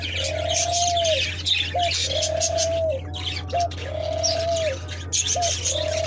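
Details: A captive foreign (non-native) dove kept in a cage in Bangladesh gives long, low, slightly arching coos, three in six seconds, each followed by a short clipped note, over busy chirping from other small birds and a steady hum.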